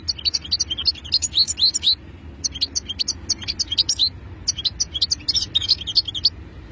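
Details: Song of a European goldfinch: rapid, high-pitched twittering phrases of bright, tinkling notes, delivered in three bursts of about one to two seconds each, separated by brief pauses.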